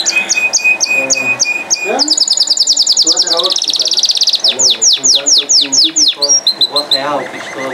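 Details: Canary singing a loud, continuous song: rapid repeated whistled syllables, tight trills and sweeping downward notes high in pitch, with faint lower background sounds.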